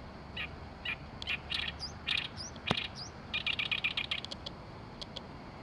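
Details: Oriental reed warbler in Oyama, Tochigi, Japan, delivering harsh croaking phrases in short bursts that build into a fast rattling series of scratchy notes, mixed with thin, high, upslurred whistles and a low background hum.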